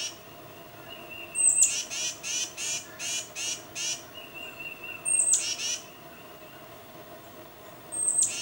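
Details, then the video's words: A tufted titmouse calling its mate gives a quick run of about seven harsh, buzzy scolding notes, preceded by thin high squeaks, under a faint steady whine. "Tufted Titmouse Calling Its Mate"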